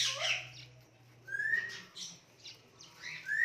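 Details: Pet Indian ringneck parakeet making cute noises, with soft rising whistled notes repeated about every second and a half over a low steady hum.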